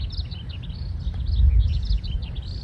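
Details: A breeding male Eurasian skylark, which sings while hovering, pours out a continuous, rapid stream of high chirping and trilling notes over heavy low wind rumble; recorded 20 May 2026 in a Japanese park, where great tits also call.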